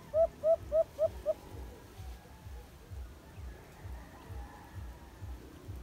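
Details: White-eared brown dove, known locally as alimokon, caged in a trap: a short series of five hooting notes about 0.3 seconds apart, each slightly rising, then fading into a faint rhythmic low thumping and background noise.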